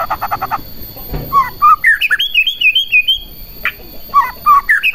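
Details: White-rumped shama song aimed at stirring other shamas to sing: a burst of rapid stuttering notes, then looping whistled phrases rising and falling, with sharp chirps returning near the end; a soft knock partway through.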